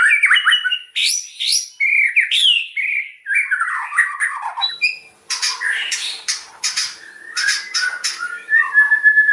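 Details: White-rumped shama song of varied whistles and warbles, later turning to harsh, scratchy bursts with faint background hum.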